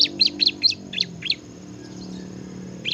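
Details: Bar-winged prinia (ciblek) singing in the lively ngebren style: a quick run of about seven sharp, high chirped notes over just over a second, then near silence with one last chirp at the end.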